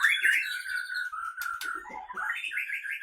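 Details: Caged Aceh Leuser white-rumped shama from Gayo Lues, Aceh, in fighting mode; a sustained, sharp whistled note, then a dipping and rising series of bright, wavering whistles.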